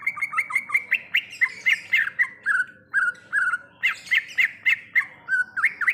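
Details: Wild greater green leafbird in full varied song: a lively, continuous stream of twisting whistled notes, chirps and slurs, some rising and some falling, delivered about four per second over a faint low hum.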